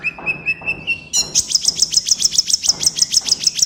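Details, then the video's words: Kolibri ninja, a sunbird, in a lure recording for captive birds: several level thin whistles, then a brisk trill of sharp high notes repeated about five times a second. "MASTERAN BURUNG KOLIBRI NINJA GACOR COCOK BUAT PANCINGAN KOLIBRI NINJA MALAS BUNYI"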